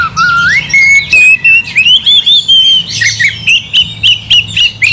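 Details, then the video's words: Oriental magpie-robin song aimed at provoking another bird to fight; opens with a long rising whistle that climbs in steps, then turns into a string of short, sharp repeated notes about four per second. "gak mungkin gak nyaut Kacer gacor bikin kacer ngamuk"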